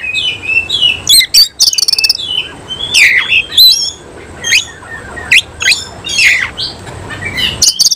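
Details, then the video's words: Semi-cililin oriental magpie-robin singing forcefully with spread tail, mixing harsh squawky notes, fast rattles and sharp whistled sweeps in a dense, energetic stream of short phrases. "Kacer langsung NEMBAK NGOBRA BUKA EKOR || KACER SEMI CILILIN"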